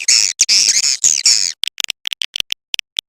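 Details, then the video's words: Edible-nest swiftlet calling sound used to attract swiftlets: dense, harsh, buzzy twittering bursts for about a second and a half, followed by a scatter of short, sharp clicks. "Suara Panggil Walet Jernih"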